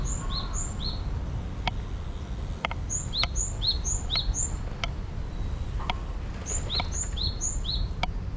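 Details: Wild birds singing: high, thin chirps in quick pairs and short runs, repeated throughout, with occasional sharp ticks over a steady low rumble of background noise.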